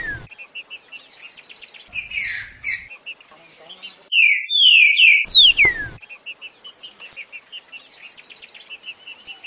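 Green-winged saltator giving a short phrase of loud, clear, downslurred whistles midway, over a steady background of high chirping from many small birds.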